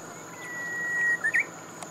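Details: Japanese bush warbler song: a long steady whistled note held for nearly a second, followed by a quick two-part flourish slightly higher, over a faint constant high hum.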